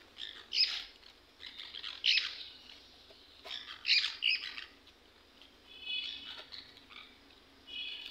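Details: Green parakeets kept as pets squawking while being fed: coarse, grating cries every second or two, followed by a few thinner, more tonal squeals toward the end.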